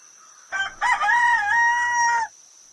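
A rooster gives one crow: a short clipped opening note, then a long, loud, drawn-out cry held for about a second and a half. A faint steady high whine continues underneath.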